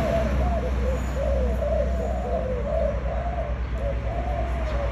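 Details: Spotted dove, a new bird just come into a loud voice, cooing; a continuous series of soft, low wavering coos run together, with a steady low hum underneath.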